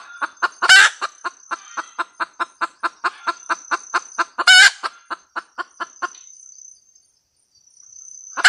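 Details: Red junglefowl hen cackles with a fast train of clipped clucks punctuated by two loud, rasping squawks; the clucks stop near the end before a final squawk begins, over a faint continuous high-pitched hum.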